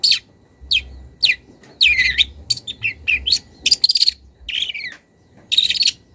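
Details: Young wild long-tailed shrike calling a rival. Sharp downslurred whistles, then varied warbled and buzzy phrases with quick chips, a brief silence, and a final harsh burst, over a soft low hum.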